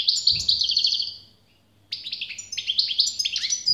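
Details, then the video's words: Goldfinch song in two parts: a rapid run of liquid, twittering notes fading out, a brief silence, then a fresh burst of jangling chirps and trills, with a low background hum. "SAKA ÖTÜŞÜ"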